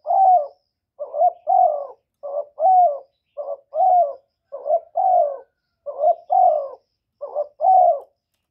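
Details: Spotted dove calling and cooing, recorded directly without background noise, meant to stimulate newly kept doves: rhythmic paired coos, a short note then a longer falling one, repeated about every second in a steady series.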